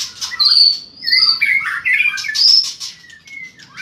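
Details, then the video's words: White-rumped shama delivering fighting song with strong tail-flicking; clear high whistles, slurred descending notes and short twitters, ending in softer fading whistles. "chòe lửa hót đập đuôi cực mạnh"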